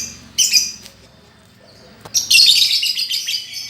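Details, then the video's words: Singing lovebird, recorded as a master to teach a lovebird that stopped singing: a short shrill chatter, a pause, then a long dense buzzy warble at high pitch. "Master untuk lovebird yang macet bunyi"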